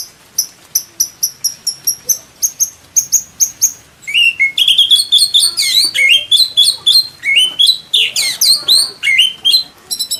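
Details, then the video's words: Indonesian white-rumped shama song used as training material for caged birds. Evenly spaced high clipped notes give way to a rich, fast cascade of slurred whistles and rising chirps, then more spaced sharp notes. "MASTERAN MURAI BATU ISIAN MEWAH MATERI FULL TEMBAKAN KOMPLIT"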